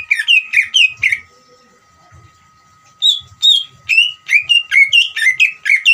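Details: Greater green leafbird giving its ngeriwik song, played to rouse other leafbirds: a quick burst of falling, slightly harsh notes, nearly two seconds of near silence, then a longer accelerating series of sharp chirps; faint low knocks and steady hum.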